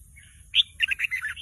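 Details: Young red-whiskered bulbul in a cage, not yet singing a proper song, answers a lure recording with a brisk run of five or six bubbly chirped notes.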